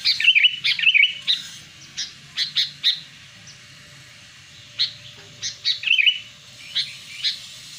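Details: Sooty-headed bulbul lure sound for attracting wild birds, also used to prompt birds that have stopped calling: lively twittering phrases and scattered short chips, with a quiet gap midway and a low hum beneath.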